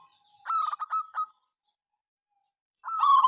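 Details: Local zebra dove in full, noisy song, from a recording said to work morning, noon and night and set rival birds calling; a rapid stuttering run of low cooing notes, a pause, then a rolling warbled coo.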